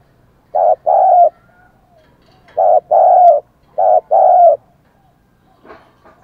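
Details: Spotted dove used as a decoy, calling to attract wild birds: three deep, hollow two-part phrases, each a short coo and then a longer drawn-out one, spaced about 1.5 seconds apart, with faint clicks after.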